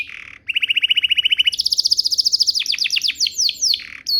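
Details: Canary giving a lure song intended to set other canaries singing: a brief buzzy note, then an even, rapid trill, a higher rolling trill, and a string of sweeping notes.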